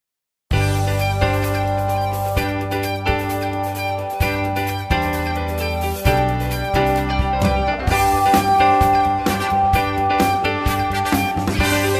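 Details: Plucked guitar music plays throughout with a steady beat and no animal sound.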